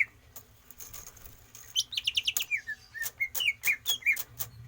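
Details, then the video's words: Caged greater green leafbird trained for longer breath: a rapid sequence of bright trilled notes followed by separate whistled phrases that slide downward, with sharp clicks between them and a low background hum. "Solusi cucak ijo tanpa umbaran"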